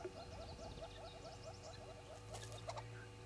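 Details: Red-billed hornbills at Djuma, 05:34 on 10/02/19, giving a rapid series of hollow clucking notes, about eight a second, over a low rumbling background with a few scuffling noises.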